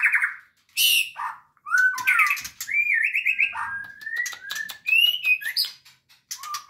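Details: Caged White-rumped Shama (murai batu) at a local breeding farm where males and females are kept for breeding; varied whistled phrases, rich slurred notes and sharp clicks in bursts, with pauses between phrases.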